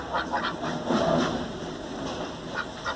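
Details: Four ducks at the Brahmatheertham holy tank of Sri Brahmapureeswarar Temple, Tenambakkam, on 25 March 2022, moving and swimming in the water. Nasal quacks come in quick clusters of two or three, irregularly spaced, over a steady low background hum.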